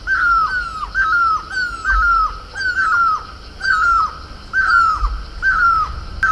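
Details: In Uttarakhand, a Great Barbet, locally mewli, sits on horse chestnut blossom repeating loud, clear descending calls about once a second, each note with a short down-slurred ending, over light ambient noise.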